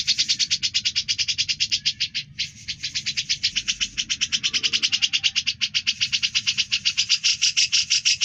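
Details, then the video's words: Grey-cheeked bulbul (cucak jenggot) singing steadily, offered as tutor song for other birds: an extended run of rapid, buzzy high-pitched pulses, close and loud, with one short pause early on. "Suara Burung cucak jenggot gacor, bisa buat isian"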